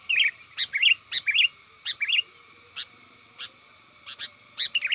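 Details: A chatty sooty-headed bulbul calls its companions, a sound meant to attract wild birds: bubbly slurred chirps in quick pairs, then scattered single notes, then a fresh burst of rolling whistles.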